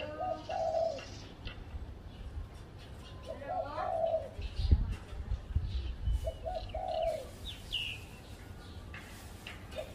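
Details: Spotted dove calling from a tree at a home, with three low, breathy coo phrases spaced about three seconds apart. Low background rumble and brief high bird chirps are also heard.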